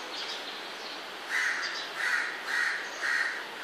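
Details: Baby crows calling early in the morning, about 5:30, when they wake: four harsh, raspy cries repeated roughly every half second over a steady background hiss.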